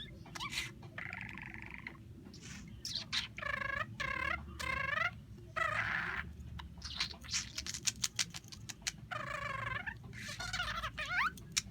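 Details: A male budgerigar (Melopsittacus undulatus) talking to his toy as if it were a bird, chattering in rapid, buzzy, speech-like syllables mixed with sharp clicks and chirps.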